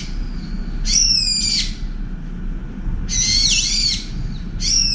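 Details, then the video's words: Shrieking brown-eared bulbul on the attack against a turtle dove at a window feeder, part of two minutes of shouting: three harsh, piercing screeches about two seconds apart, low rumbling background. "직박구리와 산비둘기 전투의 시작, 직박구리의 샤우팅공격"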